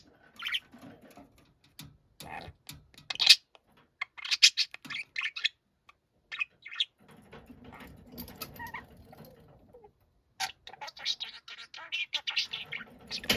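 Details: Loud budgerigar calls described as angry shouting, with scattered sharp chirps and squeaky notes coming in uneven clusters and pauses, then a dense run of rapid, grating calls near the end.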